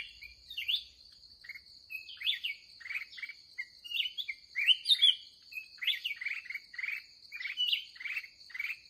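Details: Red-whiskered bulbul, an aggressive wild bird met late in the day while trapping; loud bubbly warbled phrases with swooping slurs, repeated every second or so, backed by a continuous high whine.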